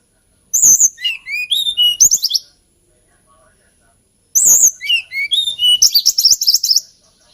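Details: Two melodious phrases from a hill blue flycatcher, each opening with sharp clicks and falling through a cascade of high whistles, separated by about two seconds of quiet.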